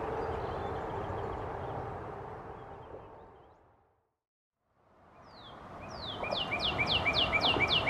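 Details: Northern Cardinal singing on the Forest Therapy Trail, Markham, 31 May 2021: a fast series of clear, downslurred whistles, about four per second, after a stretch of steady background rumble and a brief pause.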